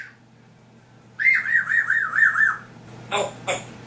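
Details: Pet African grey parrot mimicking a sound effect: a loud warbling whistle that rises and falls in even waves about five times over a second and a half, followed by two short clicks.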